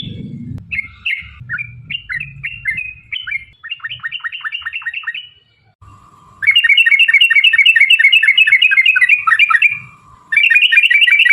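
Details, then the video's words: Sooty-headed bulbul lure song aimed at getting other birds to sing: chirping phrases over faint low rumble, then a series of falling notes, a steady hum, and long loud rapid 'ropel' trills. "trucukan gacor TARUNG ROPEL PANJANG pancingan trucukan agar bunyi"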